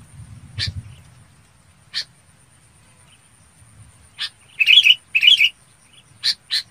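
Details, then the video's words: Red-whiskered bulbul calling to gather the flock with scattered single harsh chips, then two bursts of brighter chattering notes and a final pair of rasps. A low murmur sits faintly underneath at the start. "Tiếng Chào Mào Bông gọi bầy"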